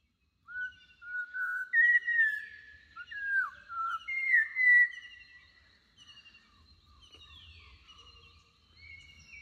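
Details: Malabar whistling thrush at Parambikulam Tiger Reserve, Kerala, in the Western Ghats (forest, bamboo and reservoir habitat), gives loud, rambling, human-like whistles that slide up and down, then softer higher notes, over a low background rumble.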